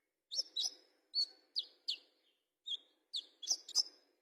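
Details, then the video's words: Olive-backed sunbird, a fighter-style bird: bursts of high, sharp chirps and short buzzy notes given in quick clusters, with brief pauses between them, ending in a tighter run of bright, piercing notes. "KONIN FIGHTER"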